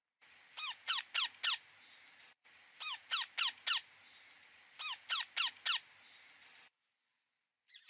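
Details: Indian ringneck parakeet: loud, harsh, downward-slurred screeches delivered in tight bursts of about four, each burst roughly two seconds apart, against a faint hiss, then a brief silence.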